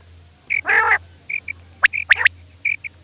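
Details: A female quail at night gives one rich nasal note, then short high whistled chips and sharp clicks in a quick scattered series, over a faint low hum.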